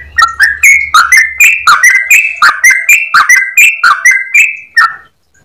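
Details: Yellow-vented bulbul pours out a clear, rapid song of bright repeated notes that step slightly up and down in pitch, then stops abruptly into silence after about five seconds.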